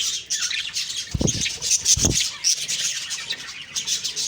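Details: High budgie twittering fills an October 2, 2023 morning, steady rapid chirps and short squeaks, with two soft low thumps, like wing flaps, partway through.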